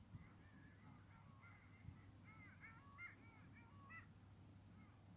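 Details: A flock of excited long-tailed ducks gives overlapping nasal, yodeling calls, rising and falling in quick bursts, over a steady low rumble of wind and water.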